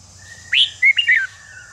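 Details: Single Red-whiskered bulbul phrase used to rouse competition birds: a quick rising whistle, then a bright slurred note and a falling warble, all within under a second, with a faint sustained tone around it.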